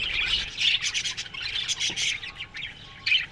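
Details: Colony of budgerigars in an aviary at morning, chattering in bursts of grating chirps and short squawks, pulsing every half second or so, with a sharp louder squawk near the end.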